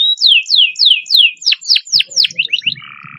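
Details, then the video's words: Canary master song with long fast roll for encouraging hard-to-sing canaries: a series of clear descending whistled slurs, about four per second, quickening into short chips and ending on a low buzzy rattle. "masteran kenari roll speed panjang cocok buwat pancingan kenari susah bunyi"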